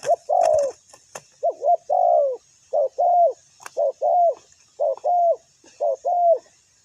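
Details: Spotted dove kept as a ground decoy for wild doves: a string of short-long paired coos after a longer opening note, with a few sharp clicks in the background.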